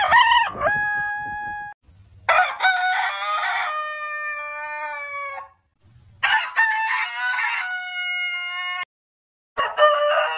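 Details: Roosters of heritage breeds crowing: several long crows, each opening with choppy syllables, then a drawn-out note gliding gradually downward, separated by short silent gaps.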